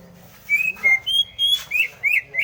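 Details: Greater green leafbird singing: a varied string of clear whistled notes, some flat, some rising or sharply inflected, delivered in short bursts with brief pauses, against a faint low background hum.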